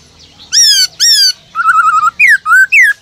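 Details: {'text': "Black-throated laughingthrush, a caged bird singing its 'forest voice' song meant to stimulate other captive birds: two long, bright, slurred whistles, then a rapid warbling trill and three more short swooping notes."}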